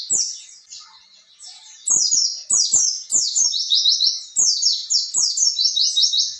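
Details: Energetic rolling 'ngerol' song of an oriental white-eye, meant to train young birds: after a soft start, rapid high twittering runs of falling notes pour out almost without break, with light tapping clicks.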